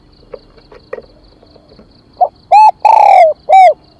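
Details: Spotted dove giving its luring call: three loud, rounded coos, the middle one drawn out and slurring downward, follow a run of faint soft notes with faint chirps in the background.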